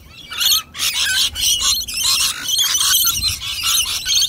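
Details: Wild rainbow lorikeets gathered at a nectar dish: loud, buzzy screeches come in choppy bursts about every half second, with many birds calling over one another.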